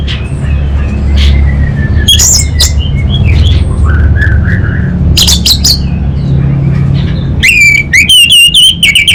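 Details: Caged orange-headed thrush from Singaraja, North Bali, singing in the chattering 'kabel konslet' style: scattered sharp notes, then a burst of fast, rising, repeated whistled notes near the end, over a steady low hum.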